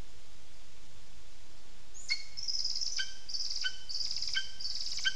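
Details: Lesser spotted eagle calling at the nest, recorded 15 June 2021 at 15:09; after two quiet seconds a few high, sharp yelping notes come in quick succession over a steady background hiss.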